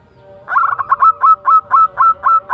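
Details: Local perkutut, a zebra dove, in full tumbak cucukan song: a fast opening flurry followed by evenly spaced, loud, slightly rising coo notes, about eight in two seconds, over a faint low hum.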